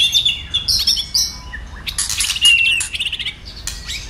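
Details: White-rumped shama in a fired-up state sings a dense mix of high chirps, harsh scratchy chatter and short whistled notes, with a brief dry rattle in the middle.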